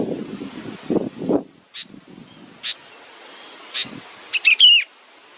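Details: Nestling waiting for its mother, with rustling at first, then spaced single chirps and a closing burst of rapid chirps with a falling whistled note.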